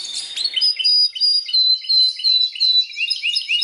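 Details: Belgian canary in strong song: rapid repeated chirps, about three per second, bright whistled notes weaving between high and very high pitches over a clean quiet background.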